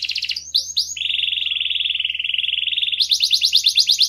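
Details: Canary song played to motivate other birds to sing: a few rising whistled notes, then a long steady buzzy trill, ending in a fast repeated chattering phrase of bright high notes.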